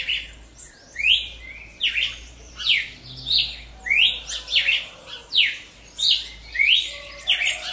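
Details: Cardinal of the genus Paroaria singing in nature with a rapid run of loud whistled notes, downslurred and upslurred slurs often paired, about eleven phrases in eight seconds, with soft background hum.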